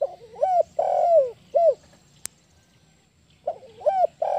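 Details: A wild spotted dove gives a run of soft, hollow coos that bend up and then down, a brief pause, then the phrase resumes; one sharp click midway.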